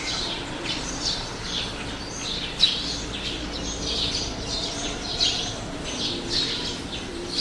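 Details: Birds of various kinds beside a road, sparrows among them, keep up continuous high twittering with a few sharper louder chirps at intervals over low ambient noise.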